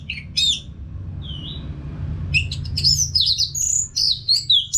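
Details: Orange-headed thrush from North Bali in continuous song, played to train caged birds to sing back: a few high whistled notes, a quiet pause, then a fast tumbling run of varied sharp whistles over a constant low hum.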